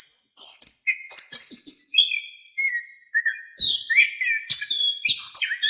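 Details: Orange-headed thrush in vigorous full-isian song, used as a training master for songbirds: varied whistled phrases, high chirps and downslurred notes in bursts with brief silences.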